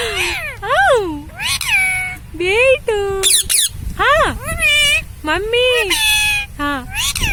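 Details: A pet Indian ringneck (rose-ringed parakeet, Psittacula krameri) talks, chattering in nasal, squeaky speech-like phrases, each swooping up and down, in quick half-second bursts with brief pauses.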